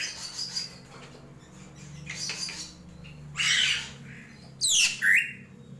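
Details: Drongo (srigunting krantil) in a gentolang song: faint scratchy notes at first, then a loud harsh burst and a descending buzzy sweep ending in a rising whistle, over a low constant hum.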